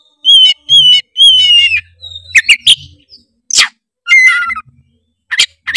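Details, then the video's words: Oriental magpie-robin (kacer) song meant to rouse rival magpie-robins: three loud descending whistles with rich overtones, rapid harsh notes, a rasping burst, then a down-slurred warbled phrase and sharp clicks. "pancingan kacer tretes gacor ngeplong bikin kacer lawan auto gacor ngeplong denger suara kacer ini"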